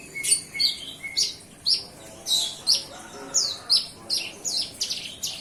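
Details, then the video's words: Bar-winged prinia youngster newly weaned from hand-feeding, trying out its voice: bright, piercing chirps and quick slurred notes at an uneven, lively pace, roughly one to two per second. "Cigun muda lepas loloh buka suara"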